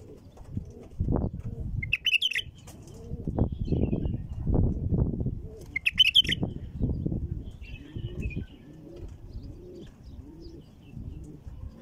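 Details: Two quick, liquid warbled bursts from a female bulbul, sung to prompt other bulbuls into song, separated by about four seconds of loud low rumbling and thudding noise.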